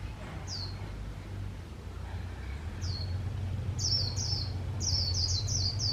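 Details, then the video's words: Caged decoy white-eye used for bird trapping, singing in the líu style: sharp, high, downslurred chirps, spaced at first, then quickening into a rapid run of overlapping notes over a steady low hum. "Khuyên mồi líu cực hay - Mata puteh bird singing"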